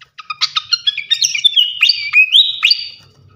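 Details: Flycatcher (srikatan kipas) song from a bird-tutoring recording: clipped chirps build into a continuous warbling phrase of high slurred whistles, some notes sweeping upward, ending in a held whistled tone.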